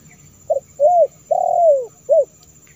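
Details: Lure recording of a spotted dove: a single four-part coo, with a brief note, a smooth arched coo, a long falling coo and a short ending note, on a quiet background.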